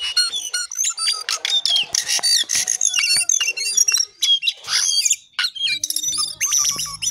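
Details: Jongkangan shortwing in a busy, unbroken outpouring of high squeaky whistles, buzzy notes and chattering trills, with a faint low hum toward the end.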